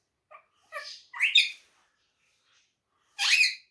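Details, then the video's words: Talking pet parrot in Urdu/Hindi: a few short nasal syllables, a louder harsh word, a pause, then one strong squawky syllable. "the best speaking parrot/ saying Mitthu Bete, Mittu Kittu, mian Mitthu, in urdu/hindi"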